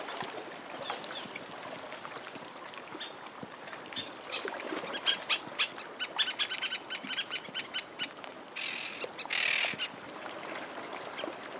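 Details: Several Antarctic terns (Sterna vittata) give harsh, rapid chattering flight calls in quick overlapping bursts at mid distance, over the steady wash of sea lapping on the shore in the foreground.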